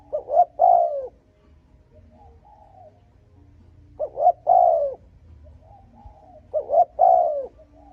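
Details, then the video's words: Spotted dove cooing to lure and provoke rival males, three phrases at a steady slow pace, each made of two brief hoots and a long falling coo, with soft quieter notes between and a faint low hum. "Âm thanh Cu gáy thúc gù kích bổi đồng ÁC LIỆT"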